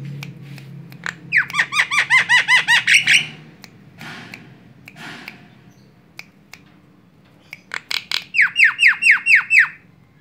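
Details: Javan myna lure call, used to draw in other birds: a fast run of about nine bright, harmonic chirps, each sweeping downward, then a quiet gap with scattered clicks, then a second matching burst; steady low hum underneath.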